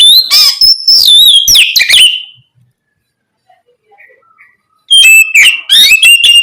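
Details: Oriental magpie-robin singing loudly, played to stimulate other magpie-robins to sing: a burst of rich varied whistles, warbles and sharp notes, about two seconds of silence with faint soft notes, then another loud whistled phrase.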